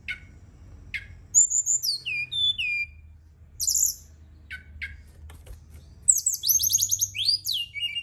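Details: Night song of a Brown-chested jungle flycatcher meant to boost singing: scattered clicks, descending whistled notes, a high squeaky burst, then a fast cascade of high trilled phrases.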